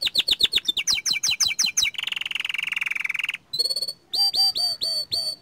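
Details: Song of a young canary: quick descending chips, a long harsh buzzing roll lasting over a second, then clear looping whistled notes repeated in short bursts.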